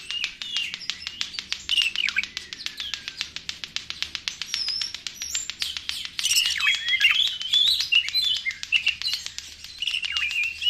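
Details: Oriental magpie-robin lure song over a steady fast ticking pulse, with high twittering, scratchy trills and brief whistles woven in throughout.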